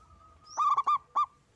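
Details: A single local zebra dove in full song gives a tight run of ringing coo notes followed by one separate final note, over a thin steady whistle-like tone.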